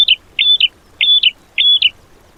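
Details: Short excerpt of cage-bird training song, 'tembakan' style: four high, clear whistled phrases, each a level note breaking into a quick drop, spaced roughly half a second apart.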